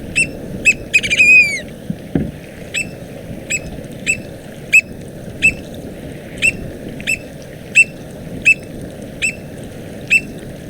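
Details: American Oystercatcher from the northwest Mexico population, sometimes treated as subspecies frazari. A quick run of descending piping notes comes first, then sharp, high single notes repeated roughly every half second to second. Steady low background rumble.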